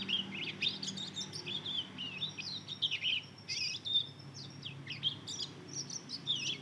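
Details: Young hybrid of Mozambique canary and canary, two months old, twittering as it learns to sing: a steady flow of high, thin, rising and falling chirps with a few brief pauses.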